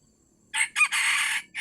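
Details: Crowing of a wild Sumatran red junglefowl approached with a decoy at the close of the fasting month: loud, hoarse syllables with a drawn-out middle note, cut off as a further note begins.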